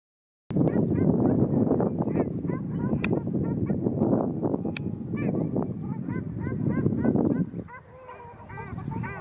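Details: Ruddy shelducks fighting at Arucas, Gran Canaria, on 13 February 2021: loud nasal honks with rising-falling harmonics repeated rapidly, overlapping one another amid heavy splashing and scuffling noise.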